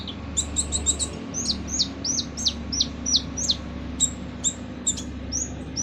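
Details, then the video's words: Kolibri ninja sunbird in harsh-voiced song, recorded as training material for other songbirds: a fast run of high, sharp, downward-slurred notes, about three per second, with a few clipped chirps, over low background hum. "MASTERAN KOLIBRI NINJA FULL SUARA KASAR"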